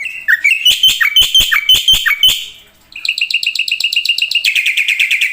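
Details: Black-winged myna singing loud downslurred whistled notes with sharp clicks, then switching to a fast run of buzzy chattering notes.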